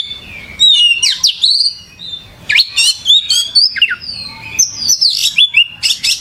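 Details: Kacer, the oriental magpie-robin, singing gacor: dense bursts of loud varied whistles, rising and falling slurs and buzzy high notes, delivered in quick succession after a brief quiet start.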